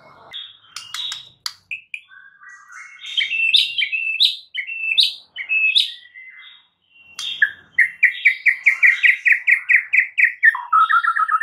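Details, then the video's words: White-rumped shama song for stirring a silent bird into song: varied whistled and buzzy phrases building in volume, ending with a long rapid series of repeated chirping notes. "99% EFEKTIF jadikan Murai BISU seketika NYAUT dalam HITUNGAN DETIK"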